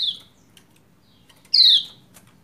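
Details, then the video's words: A female Lombok white-eye calls so the male will start singing; the tail of one falling note opens, then after a pause a loud, bright descending 'ciak' follows, with light ticking sounds. "Ciak Ciak Pleci Lombok Betina Memanggil Jantan Supaya Cepat Gacor"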